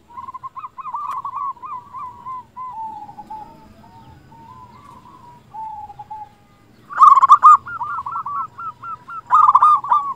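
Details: Local zebra dove (perkutut) in full voice, used as a lure to stir silent doves into singing; series of soft rolling coos falling slightly, then two loud bursts of quick repeated hooked coo notes near the end.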